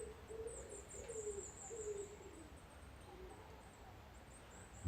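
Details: Common wood pigeon (Columba palumbus) near Aberfoyle, Loch Lomond & Trossachs National Park, Scotland: soft, low, hooting coos, three close together then a fainter one, over thin high chirping and a sharp knock at the end.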